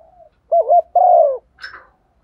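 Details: Female spotted dove decoy cooing at morning to call males: a wavering short coo then a long falling coo, followed by a brief higher chirp.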